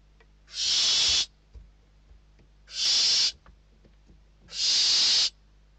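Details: Hungry barn owl chicks at a nest in Spain compete for a delivered bird, 21 December 2023. Three loud, harsh hissing screeches, each under a second, recurring about every two seconds with light shuffling between.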